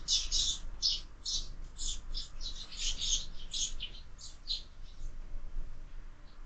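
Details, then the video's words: Sparrows at a window-mounted feeder on a morning of feeding chirp in a quick, rhythmic series of sharp tweets, about two to three a second, thinning out toward the end. "Воробьи в кормушке - утро всегда бойкое"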